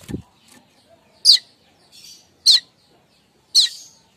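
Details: Streaked weaver chatter heard in the morning, a call for luring weavers: three loud, sharp high chirps spaced about a second apart over near silence, with a soft low thump at the start.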